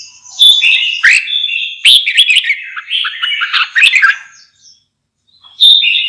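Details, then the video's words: Red-whiskered bulbul pouring out a long, varied stream of chirpy, slurred whistles for four seconds, a pause, then a fresh bright phrase begins. "TIẾNG CHIM CHÀO MÀO"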